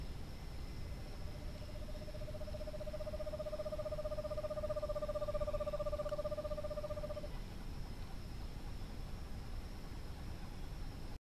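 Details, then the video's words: At dusk, a male Eastern screech owl arriving at the nest box during courtship, to hunt and bring food to the female, gives a long, even, monotone trill of rapid low notes for about six seconds over a high hum and low rumble. "Eastern Screech Owl Calling"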